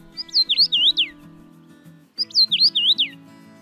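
Common Rosefinch singing a short, clear whistled phrase of slurred rising and falling notes, given twice, with soft background music underneath.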